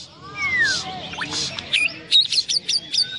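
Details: A white-rumped shama at a songbird contest, Bupati Cup Landak, 15 October 2017, sings a long falling whistle, then a run of sharp, high chipping and whistled notes, amid a crowded, noisy background.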